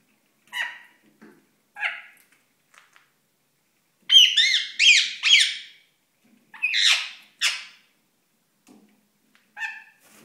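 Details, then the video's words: Pet ringneck parakeet courting indoors: short harmonic squawks near the start, then a loud run of rapid, rising-and-falling raspy notes in the middle, a few harsh screeches, and quieter chirps at the end. "Ringneck 7Up & Pepsi - Seven beim Balzen"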